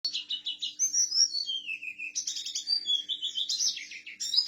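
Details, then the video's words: Oriental white-eye of the Buxtoni type, a kept bird, giving a rolling song with imitations of forest birds: varied high chattering phrases, downslurred whistles and buzzy trills flowing without pause, with a faint steady hum underneath. "Mana nih yang bilang Pleci Buxtoni tidak bisa ngalas ngerol? hehe"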